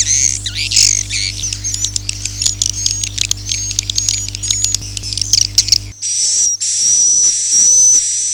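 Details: Swiftlet calls of the "Akau ngaji" type: busy high twittering with sharp clicks and squeaks over a low hum for six seconds, then a change to long, steady, high whistled chirps in short bursts.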